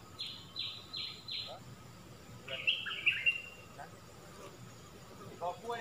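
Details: Stripe-throated bulbul decoy song, played to train young birds and lure wild ones: four quick falling whistled notes, then a brief warbled phrase and a faint later note over low background hiss.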